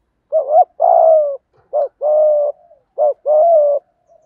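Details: Captive-training spotted dove coo in the thổ thúc gù style, meant to make other doves call: three repeated pairs, each a brief hooked note then a longer flat humming coo, evenly spaced.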